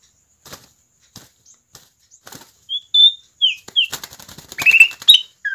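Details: Asian pied starling in lively singing form, song used as a lure to prompt other starlings to sing: sparse clicks and wing flutters, then short whistled notes around the middle, ending in a burst of varied whistles and rattles.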